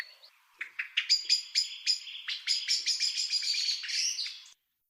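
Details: Common blackbird alarm call at dusk as blackbirds go to roost and other blackbirds contest the roost site: sharp, metallic chinks about three a second, quickening into a hurried chattering run before stopping abruptly.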